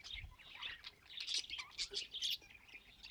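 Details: Soft, quiet budgie chatter of high squeaky chirps and little trills, sung in a happy mood.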